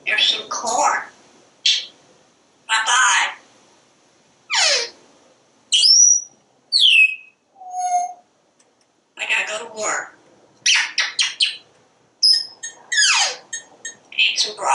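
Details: Pet parrot chattering on a screened back porch as it watches squirrels and birds, talking without stopping. It gives a stream of speech-like words mixed with bright rising and falling whistles, and one low hooting note, all separated by short pauses.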